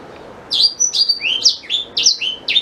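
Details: Black-throated canary song, used as a tutor for white-rumped shama: after a quiet half second, a quick run of high, sharp, downslurred and rising whistled notes, about eight notes in two seconds, with no other sounds.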